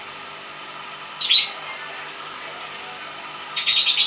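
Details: Lovebird, balibo type, giving long chatter (ngekek panjang): a pause, then a burst of high chirps followed by a run of short sharp chips roughly every quarter second, ending in a dense rapid chatter, with faint room hum behind.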